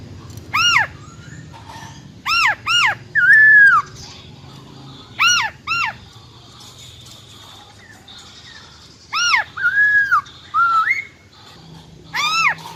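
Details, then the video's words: Wild-type singing of a female silver-eared laughingthrush, used to fire up males fast. Repeated strong arched notes come in pairs and short bursts, mixed with smooth sliding whistles, and gaps of quiet between phrases. "Tiếng Chim Khướu || Khưới Mái Bạc Má RO RO || Giọng Rừng Hót Chuẩn - Kích Trống Lên Lửa Cực Nhanh"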